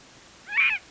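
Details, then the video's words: Scaled quail perched on a post at Embudito Canyon in the Sandia foothills near Albuquerque, New Mexico, shotgun microphone: a single nasal, harsh, slightly buzzy note lasting about a quarter second against quiet background. "Scaled Quail Calling on a Post"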